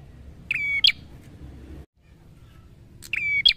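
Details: Two bright prinia phrases separated by a pause: each a tick-led steady whistle ending in a sharp upward note. A soft low hum and a short silent gap lie between them.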